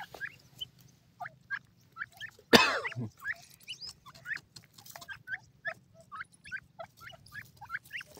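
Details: Grey francolin chatter of short, sharp, rising squeaks repeated steadily several times a second, interrupted once by a loud thud or knock.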